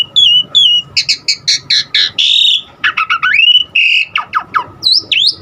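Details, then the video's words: An Asian pied starling delivers varied filler phrases that are meant to set other starlings singing: two thin whistles, a string of rapid harsh clicks, a long buzzy note, then rising and falling slurred whistles. "Jalak Suren Aneka Suara Isian Uniknya Bikin Burung Jalak Manapun lkut GACOR Full Isian VARIASI"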